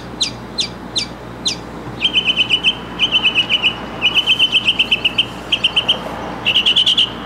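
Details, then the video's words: Mockingbird song. It opens with four sharp downslurred notes, then moves into rapid buzzy trilled phrases at an even mid-high pitch. Each phrase is repeated several times with short pauses between, over a faint background hum. "Mockingbird in Concert!"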